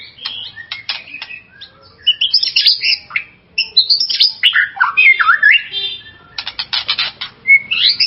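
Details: Excitement-provoking white-rumped shama song: a long, rich stream of varied whistles, slurred up and down and mixed with harsh buzzy notes and dry rattles, ending in a sharp whistle and more rattling.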